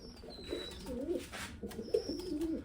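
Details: Pigeons aged eleven and eight years cooing: two rolling, throaty coo phrases, each lasting about a second, separated by a short pause, with a thin high whistle-like tone above them.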